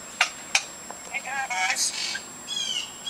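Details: Several pet lorikeets outside while their cages are cleaned chatter a lot: two sharp clicks, then a run of harsh, buzzy, warbling notes, some almost voice-like, ending in wavering high screeches.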